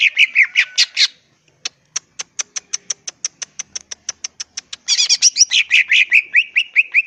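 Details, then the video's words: Greater green leafbird from the wild, song meant to make other birds respond: harsh scratchy notes, then a long even train of crisp high ticks about four per second, ending in loud buzzy chattering warbles. "pancingan suara cucak ijo full isian bikin nyaut suara burung cucak ijo alam liar"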